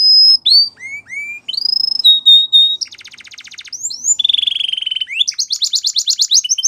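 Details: Canary song made of separate whistled notes, some rising, some steady, a buzzy rattling section, a lower drawn-out whistle, then a quick high trill.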